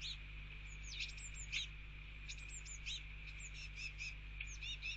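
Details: Fledgling Eurasian blue tits following a male parent at a garden feeder in rain, begging to be fed mealworms: repeated high, thin sweeping squeaks and rapid chittering bursts above constant rain noise and a low hum.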